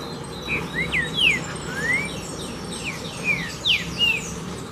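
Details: Green-winged saltator song of the 'pura fibra' type, loud clear whistles in quick succession, steep downward slurs alternating with upward-gliding notes, roughly ten phrases in under five seconds, faint buzzy high notes and low hum behind.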